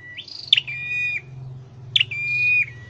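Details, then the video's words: A scarlet-headed flowerpecker kept in a cage for singing training gives two long level whistles. Each starts with a sharp upward flick and ends abruptly, over a faint low background hum. "Deep red-headed birds(Dicaeum Trochileum): Birds thoroughbred training for singing chirped"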